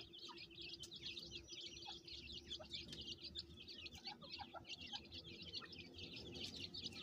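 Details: Captive francolin chicks peeping nonstop in a thick high-pitched chorus as their mother calls them, with a few lower short notes and a low hum in the background.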